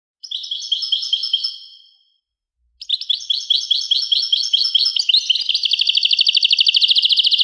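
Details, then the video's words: European goldfinch singing: a bright twittering phrase of quick high notes, a pause, then a busier jangling run that speeds into a fast, even, buzzy trill. The recording is clean, with no other sounds. "song Carduelis carduelis pure and Nice-Birds The song"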